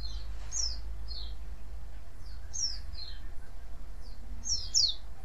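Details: White-eye calling to draw other white-eyes to answer: short, high, sharp chirps in small bursts, some rising and some falling, spaced irregularly over about five seconds, above a steady low rumbling hum.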